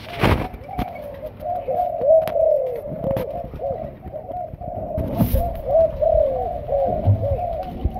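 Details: Young caged Malaysian spotted dove in decoy training, calling in a fast, continuous string of low, throaty coos, broken by a few sharp knocks and clicks.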